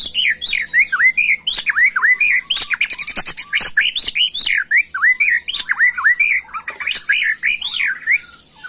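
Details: White-rumped shama in agitated macul-style song. A steady, loud stream of bouncing, down-slurred and looping whistles runs throughout, with sharp clicks scattered between the phrases.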